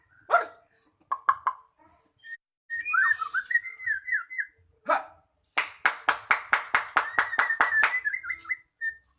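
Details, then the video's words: Magpie-robin singing, played to coax a stalled bird back into song: scattered sharp clicks, a warbling whistled phrase, then about a dozen loud rapid clicking strokes over steady whistled notes. "Pancingan Burung Murai Macet Jadi Gacor"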